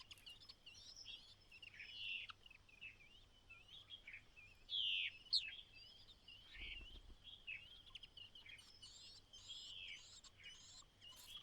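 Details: Mother White-browed laughingthrush calling her single chick to leave the nest on its final day there; loud harsh, scratchy calls with twisting slurred notes, a brief louder burst midway and a low thump.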